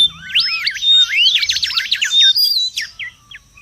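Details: Mangrove whistler singing in the wild, a recording for luring and tutoring: swooping looped whistles and a fast burst of repeated notes, trailing off into a few short, quieter whistles.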